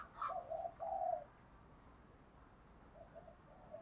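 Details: Spotted dove giving a 'kích bổi' stirring call: three soft, low coos in quick succession, then faint further coo notes after a pause, over steady background hiss.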